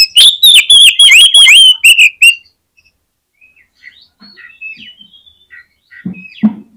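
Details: Full song of an oriental magpie-robin, meant to spur other magpie-robins into singing: a fast burst of loud, ringing whistled notes for two seconds, then soft scattered twitters and quiet pauses.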